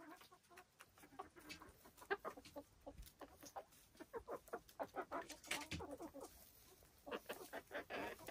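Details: Silkie chickens on a homestead in the Vermont hills, rapid soft clucks repeated in a steady run, a few birds chattering over light rustling.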